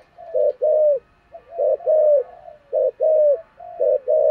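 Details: Spotted dove of the thổ voice style used as a decoy bird, giving low cooing phrases of arched, hollow notes in bursts about half a second long, repeated steadily with short gaps.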